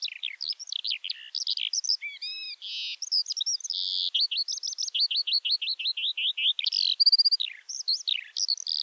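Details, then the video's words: Eurasian skylark in spring song flight. Chirps, harmonic buzzes and a run of rapid repeated notes blend into a long, bubbling high-pitched warble. "Kiurun / Leivon laulua | Skylark Singing"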